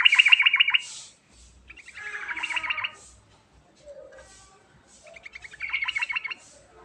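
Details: Sooty-headed bulbul rolling 'ngerol' lure call with filler phrases: three loud bursts of quick, bubbly pulsed notes, each about a second long, separated by quieter soft notes and short gaps.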